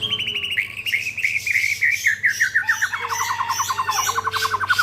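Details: White-rumped shama song from an Indonesian songbird-keeping setting: rapid series of repeated whistled notes descending from high to middle pitch, then a long fast trill of repeated notes, over a steady low hum.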